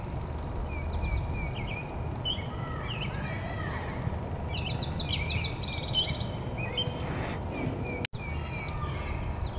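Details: A male dark-eyed junco sings its atypical, Tennessee Warbler-like song near Kirtland, Ohio, on 4 June 2015 in the nesting season: high, rapid, even trills of about two seconds, with other birds chirping and a low wind or traffic rumble.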